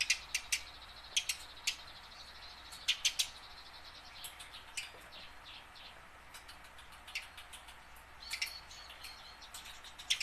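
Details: Tame caged house sparrow learning to sing, its chirping meant to prompt wild-caught sparrows to sing; scattered sharp chirps, some in quick pairs and triplets, over a soft background hiss.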